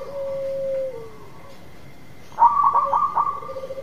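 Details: Eager local zebra dove song for luring a dove that will not sing: a steady low coo that dips at its end, silence, then a fast broken run of bright notes settling into a softer coo.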